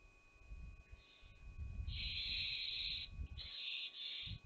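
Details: Barn owl mother pushing away her young at Théding, 5 July 2021. A long, harsh hissing burst, then a shorter broken one, over heavy low rumbling, scuffling and knocking from movement.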